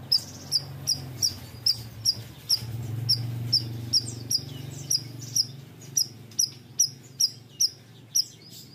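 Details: Bayeman bird in full song, giving a steady run of piercing high chips, each a quick downward flick, repeated roughly twice a second for the whole stretch. A low humming drone sounds behind.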